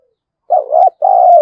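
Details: Spotted dove lure bird provoking wild doves to fight, thổ voice: a single loud, deep phrase, a wavering coo then a steady drawn-out coo after a brief pause.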